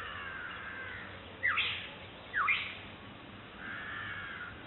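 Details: A Black-headed Oriole calling to its chick in April 2006 gives two harsh, nasal, slurred calls about a second apart. Fainter bird calls fill the background, including a White-breasted Waterhen.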